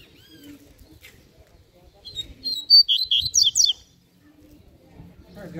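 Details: Fast, loud phrase from a Double-collared seedeater: about ten sharp, high, slurred notes in quick succession over a second and a half, preceded by a thin rising whistle; faint voices and low hum in the background.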